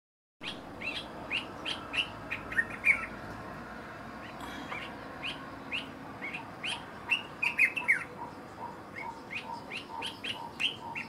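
Dark-capped Bulbul giving sharp, mid-to-high chipping notes, about three a second in irregular bursts, over a steady soft background hiss.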